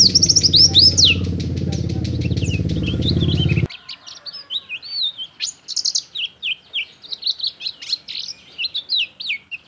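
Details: A captive Oriental white-eye, used as a song tutor or lure, sings a fast, high, tinkling twitter of varied chirps and trills; a loud low rumble covers the first few seconds.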